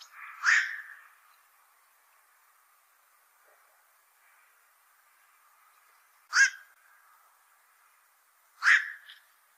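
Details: Black-crowned night heron calling near fishponds: three rough, croaking 'kwok' barks, each short and abrupt, separated by long silences of a few seconds.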